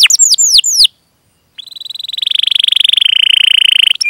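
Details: Canary chirping and rolling song used to encourage other canaries to sing. Quick downward-sweeping chirps stop, and after a short silence a long, steady, fast-pulsing buzzy roll builds in volume.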